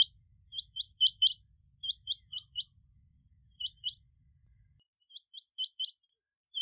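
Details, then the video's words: Rain quail (Coturnix coromandelica) giving its metallic chrink-chrink call, sharp high notes in quick pairs and triplets repeated in bursts about every half second, over a faint low hum. "Rain quail (Coturnix coromandelica) sound - call and song"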